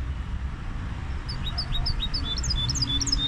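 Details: Goldfinch hybrid giving a short run of clear, high whistled notes, each repeated at a steady quick pace and rising slightly toward the end, with a low hum in the background.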